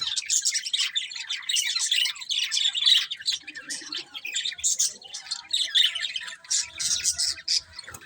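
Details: Pet budgerigars warble and chirp nonstop, a dense, bubbling chatter of scratchy notes and squeaky squawks from several birds at once.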